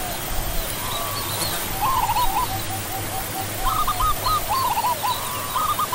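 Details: Zebra dove (Geopelia striata) giving soft staccato, rolling coo phrases in short bursts, a brief one near the start and a longer run of clipped trilled notes later, over steady low hum and hiss.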